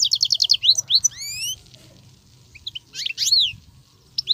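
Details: Wild European goldfinch singing nonstop with 'betbetat' phrases: quick high twittering notes, then clear upward-sliding whistles, a quiet gap, and another burst of chattering, twisting notes.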